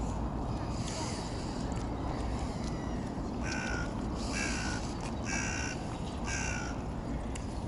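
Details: Eurasian oystercatcher calling: a run of loud, sharp piping notes clustered in the second half, each short and ringing with bright overtones, over a steady low rumble of wind or engine noise.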